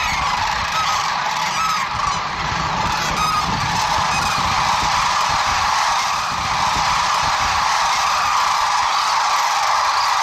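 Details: A large gathering of sandhill cranes at Whitewater Draw Wildlife Area, McNeal, Arizona, in January 2023, heard as a continuous roaring wall of overlapping bugling calls with no pauses over ten seconds.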